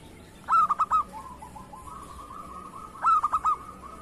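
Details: A lively local zebra dove used as a lure bird sings two phrases, each a few sharp clipped coos followed by a trailing soft purring trill, the phrases about two and a half seconds apart.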